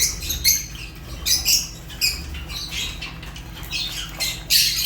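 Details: Fischer's lovebird making short, sharp squeaks and chirps in quick irregular bursts, about one per second, with a soft hum in the background.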